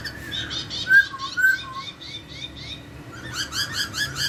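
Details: Laughingthrush singing melodiously to draw a reply from another, quieter laughingthrush: harsh repeated chattering notes with a few loud clear whistles in the middle, then another burst of rasping chatter.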